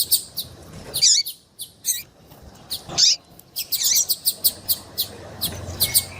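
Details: Female double-collared seedeater giving her call meant to get a male singing: spaced, piercing chirps, some sliding downward, building into a quicker cluster of short notes toward the end.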